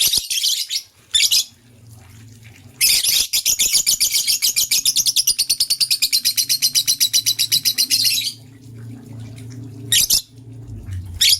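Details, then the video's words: Green and blue lovebirds in the morning: loud, high chirps, first in brief bursts, then a long rapid series of even notes for about five seconds, followed by more short bursts over a low indoor hum. "Green LoveBird Chirping Sound"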